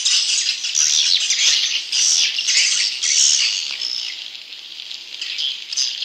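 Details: Swiftlets inside a swiftlet house: a loud, dense chorus of shrill, high chattering chirps and twitters, many birds calling at once without pause, with the din swelling and easing in waves.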